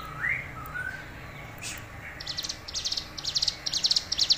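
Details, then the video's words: Hill prinia in strong, energetic song giving a short whistled rising note, then a fast series of high, sharp, chipping notes repeated about twice a second. "Suara Ciblek Gunung Gacor"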